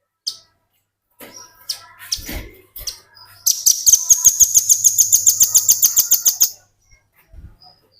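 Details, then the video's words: Velvet-fronted nuthatch in a tutor recording for training other birds: a few scattered chirps lead into a loud three-second trill of sharp, high, evenly repeated notes at a fast pace, ending abruptly with faint calls after. "Burung Rambatan Paruh Merah ngebren"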